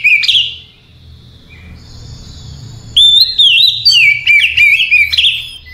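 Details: Oriental magpie-robin, singing calmly at night. A short loud whistled phrase opens the clip, followed by quiet thin notes, then from three seconds several loud bursts of sliding whistles and clipped chirps.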